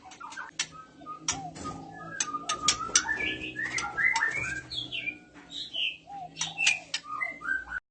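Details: Oriental magpie-robin, a female in breeding condition calling, with males answering; a busy run of varied clear whistled notes, short rising and falling phrases mixed with sharp clicks and ticks, overlapping voices throughout.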